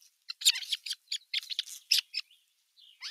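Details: Two older osprey chicks bicker at their nest, 15 June 2023, an adult watching; a crowded tangle of shrill chirps and squeaks, then a fading thin whistle.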